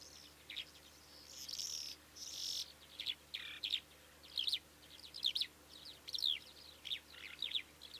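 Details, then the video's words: Calandra lark song of varied high chirps, scratchy buzzes and sharp twittering notes, given in short bursts roughly once a second, with quiet gaps between, in a calm outdoor setting. "Calandra lark (Melanocorypha calandra) Γαλιάντρα"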